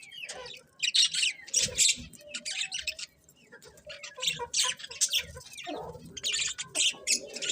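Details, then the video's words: Colourful budgerigars chatter almost nonstop in bursts of scratchy, high-pitched chirps and squawky notes, broken by brief lulls, with softer lower warbles mixed between the bursts. "Cute Colourful Budgies Chirping Sounds"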